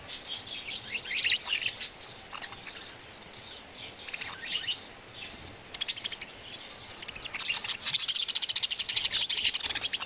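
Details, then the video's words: Baby budgerigars chattering: dense, scratchy high chirps in bursts, sparse at first, then a rapid run of clicking chirps near the end over a faint hiss. "Cute budgie babies sound"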